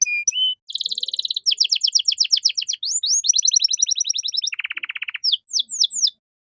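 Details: Singing canary for training other caged songbirds: quick trills of high notes, rising slurs, a lower buzzy rattle, then a few descending whistles before silence.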